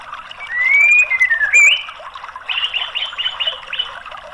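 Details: White-rumped shama song played to prompt a silent bird into singing: a long clear whistled note that rises and then slurs downward, then a run of five or six quick bright repeated phrases.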